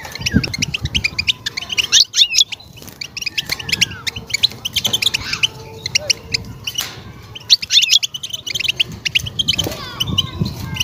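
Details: European goldfinch singing a mating song to stimulate a female ready to breed; rapid twittering runs of short tinkling notes with brief pauses, some buzzy elements, faint low background noise.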